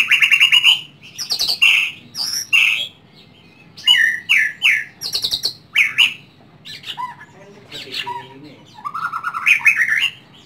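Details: White-rumped shama kept at home in Indonesia sings loud, rich, varied phrases: rolling whistles, buzzy rasping notes and quick chattering bursts, separated by short pauses, with a softer low warble near the end.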